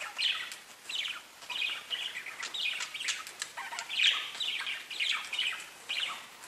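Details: Pet budgerigars keep up a nearly continuous run of high, scratchy chirps and warbled chatter, with rhythmic bursts about every half second.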